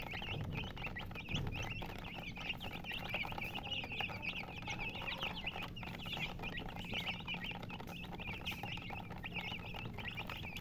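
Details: Hen's chicks chirping in a crowd: continuous overlapping high peeps, shrill and short, over a low steady hum and occasional soft bumps.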